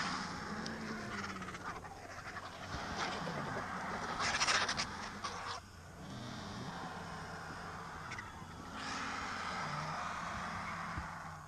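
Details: Cinereous vultures at a fresh mare carcass in Segovia, Spain, make loud scratchy hisses and rasps over low, wavering grunt-like tones, with a brief near-silent pause midway.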